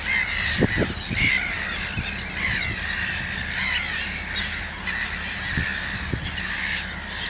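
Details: Common terns by their few-day-old chicks in Sweden's Gothenburg archipelago keep up grating, squawking calls, rising and falling in intensity, while several sharp low wind buffets knock in the first seconds and again near the end.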